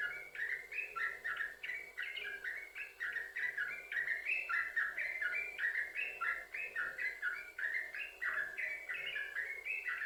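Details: Yellow-vented bulbul in prolific 'sambung ropel' continuous song, played as a lure to prompt other bulbuls to sing; bubbly, liquid two-note phrases rise and fall without pause for ten seconds.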